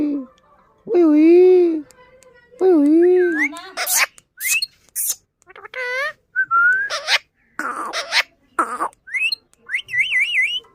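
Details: Pet parrot talking and mimicking: whistled wavering phrases, speech-like syllables and harsh bursts in quick varied succession, ending with rising and falling warbled whistles.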